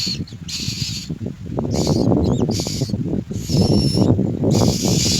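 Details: Common myna (Acridotheres tristis), begging call: hungry chicks begging for food.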